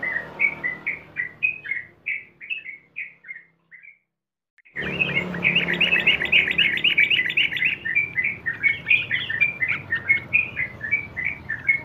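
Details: Sooty-headed bulbul in long-running ropel song, a lure for caged birds: quick whistled notes break off into a brief silence, then resume louder and denser as a busy, overlapping chatter of rising and falling chirps.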